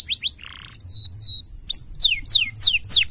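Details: Canary song for training: sharp high notes and a brief buzzy burst, then repeated loud downward-sweeping whistles in a steady rhythm.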